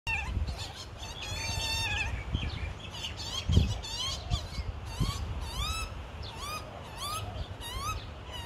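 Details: Australian magpie fledgling on its second day out of the nest, being fed by both parents in Melbourne, 2020: harsh, buzzy rising calls repeated roughly every second, with a brief chattering from another bird early on and low background rumble.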